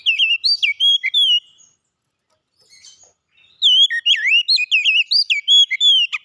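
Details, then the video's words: Kacer (oriental magpie-robin) sings loud, fluting whistles that dip and climb in a varied, rapid sequence, stops briefly in near silence, then returns with a denser, longer run of swooping notes. "kicauan ampuh mempercepat pemulihan Kacer macet bunyi langsung gacor"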